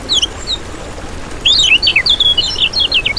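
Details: Lemon-bellied white-eye twittering, used as a lure to attract other birds: a few faint high chirps, then a bright, fast, continuous warble of jumbled slurred notes over about two seconds.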